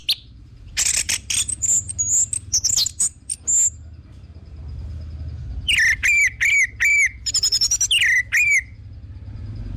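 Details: Orange-headed thrush singing, meant as a lure to get birds singing: a jumble of high chattering whistles, then a run of loud down-slurred notes given a few times per second.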